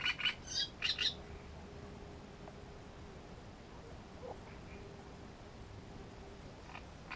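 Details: Great reed warbler filmed at its nest at Grachevka opens with a loud burst of four or five harsh, grating notes, then a quiet stretch of faint background with a few distant soft notes.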